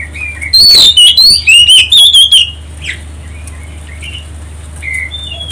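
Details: Lure song of an Oriental magpie-robin, played to provoke other birds to sing: a rapid run of five loud, piercing whistled notes in the first half, then quieter scattered chirps from other birds.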